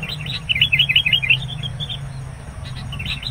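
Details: Sooty-headed bulbul at a trapping site, calling insistently as a rival arrives; a fast, rolling string of bubbly chirps, then scattered softer notes over a steady low hum.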